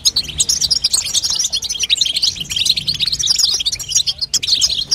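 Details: European goldfinch female chatter meant to stimulate a young goldfinch's song: a busy stream of high twittering and short buzzy notes, with a brief break near the end.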